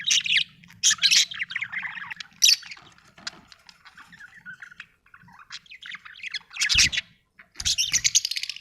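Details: Happy budgie, an Australian bird, chirping in loud bursts of sharp high twitters and squeaky notes, with short quiet gaps and a few soft clicks, ending in two strong chattering bursts.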